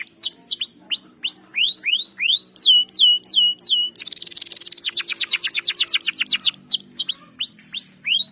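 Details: Long rolling ngerol song of a canary, played as a lure for a bird that has stopped singing: clear falling whistles repeated steadily, then a dense buzzy roll and quick stuttering notes before the whistles return.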